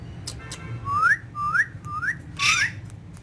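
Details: A pet green rose-ringed parakeet talking at a mirror gives four short rising whistles about half a second apart, with a harsh burst near the end over a low hum.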